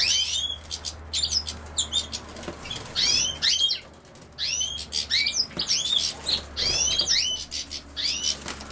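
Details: European goldfinch, linked to common sow-thistle, giving bursts of bright, fast twittering notes with sharp rising and falling chirps, repeated in quick clusters throughout, with soft rustling between phrases.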